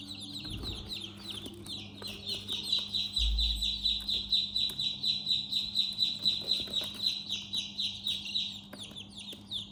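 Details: Domestic chicks peeping inside their house: a dense run of high, downward-slurred peeps repeated about twice a second, several chicks overlapping, with a steady low electrical hum beneath.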